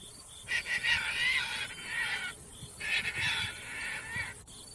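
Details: Caspian tern (Hydroprogne caspia) flight call given in flight: two long, harsh, grating rasps, each lasting over a second, with a brief pause between them and a faint background rumble.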